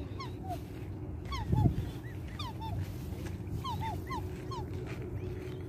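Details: Black swan cygnet, with its mother in Australia, gives thin, high, down-slurred peeps, about two each second, over a steady low rumble and one brief thump.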